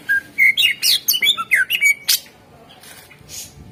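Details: Cucak ijo, the greater green leafbird, singing as a lure to prompt other birds: a rapid run of varied whistles, sweeping slurs and chattering notes packed closely for two seconds, then softer fading rustle-like sounds.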